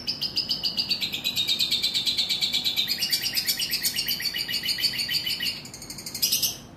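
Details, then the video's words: Long-tailed shrike in a fast, scratchy, high chatter of rapid pulses, about ten a second, briefly dipping then rising in pitch near the end; played to provoke sluggish shrikes into singing. "Bikin Cendet Loyo Kurang Emosi Agar Segera Terpancing Emosi & Ikut Bunyi"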